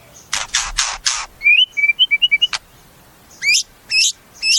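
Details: Caged white-rumped shama singing: harsh raspy notes, a quick run of short whistled notes, then three loud rising whistled phrases spaced about half a second apart.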